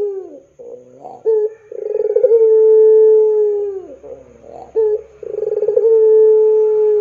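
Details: A Spotted dove, a keen singer, calls to lure young doves into singing. Short hiccupping notes lead into a long smooth humming coo, and the pattern repeats with a pulsing start.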